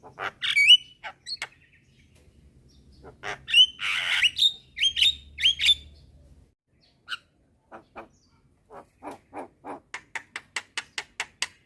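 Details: Javan myna, a young bird calling to other mynas at midday, prompting answers; whistles and harsh rasps, a pause, then a steady, quickening series of short clicking notes, with background music.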